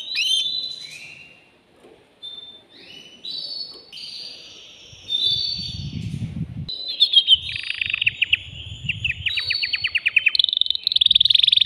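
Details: Male canary singing to stimulate a female for breeding: soft drawn-out whistles and rising slides, then a low rumble of background noise, and finally rapid rolling trills growing louder.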